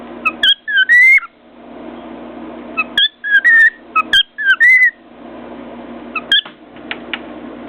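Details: Pet cockatiel perched on top of its cage, banging its beak on a mirror and whistling happily: clear, sliding two-note whistles in short phrases, broken up by sharp tapping knocks and quiet pauses.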